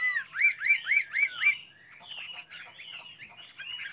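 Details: Chinese hwamei kept by bird fanciers, its song opening with five loud, looping whistled notes in quick succession, then running on into softer, rambling warbles and slurs.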